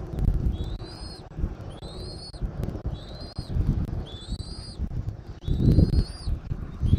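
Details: Eagle at a nest in Southwest Florida, January 2024, early afternoon. Four clear, high upslurred whistles come at even intervals of about one and a half seconds, with low rumbling wind beneath them.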